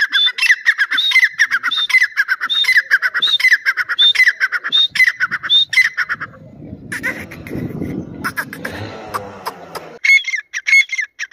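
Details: Dakni or Irani teetar (grey francolin) calling insistently, repeated whistled notes layered over raspy chattering pulses, broken midway by a burst of low rustling noise before the calls resume.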